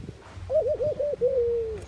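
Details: Mourning dove (Zenaida macroura) coo: a soft, low, brief quavering, wavering hoot running into one long, steady note that slides down slightly at the end.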